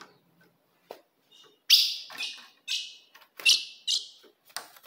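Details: Ultramarine grosbeak female call, used to provoke a male: sharp, bright chip notes falling at the end, given irregularly about every second, with faint clicks and soft rustling between.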